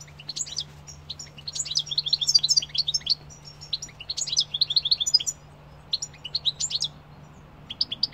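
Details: European goldfinch singing: bright, tinkling twitters and quick high chirps in dense bursts, broken by a short pause partway through, over a faint steady low hum.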